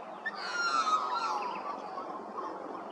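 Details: Australian magpie at Hervey Bay, Queensland, giving a brief, liquid warble of gliding, fluting notes over a soft background hiss.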